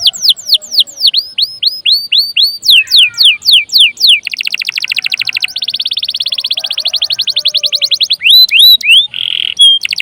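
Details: Canary song used to stimulate other songbirds and as their master tutor: rows of high downward-sweeping whistles, a lower rolling phrase, then long rapid buzzy trills and a few clear whistles, all very varied.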